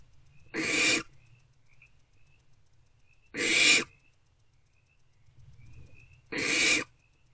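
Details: Barn owlets in nest box C, 2 March 2024, between 1:28 and 3:20 am, snuggling: three evenly spaced, loud, breathy hisses about three seconds apart, with soft high whistly tones between them.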